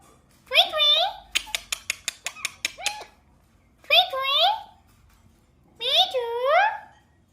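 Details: A pet rose-ringed parakeet named Mithu speaks three high, nasal, wavering word-like phrases, with a quick run of about ten sharp clicks after the first one.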